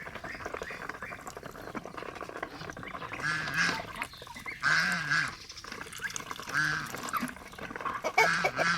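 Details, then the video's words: Domestic geese kept as pets alongside ducks call repeatedly with brassy, nasal honks. The calls grow louder and come in clusters after a quieter start, with scattered chatter and yard noise between honks. "enjoying pet Goose paul & Ringo and pigo sound Duck"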